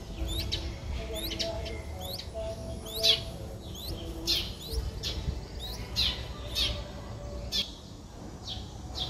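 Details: Four-day-old Streak-eared Bulbul (Pycnonotus blanfordi) nestlings in Ubon Ratchathani, Thailand, 6 April 2023, give thin, high hooked squeaks about twice a second, with a few sharper clicks over a low background rumble.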